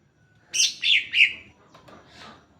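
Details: Singing greater green leafbird, used as a lure for other leafbirds: three loud, high, swooping whistled phrases in quick succession, followed by faint softer notes.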